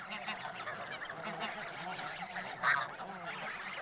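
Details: Large flock of snow geese, including grey first-autumn juveniles from Russia, feeding in a harvested dent corn field at Urahoro, Japan, in November 2020, give a dense chorus of overlapping nasal honks and yelps, one louder call near the end; finding: Snow goose.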